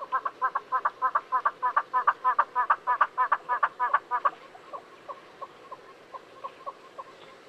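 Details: Southern yellow-billed hornbill (Tockus leucomelas), Kruger National Park area, South Africa, calling a fast run of hollow clucking notes, about three a second, then trailing off into softer, spaced single clucks.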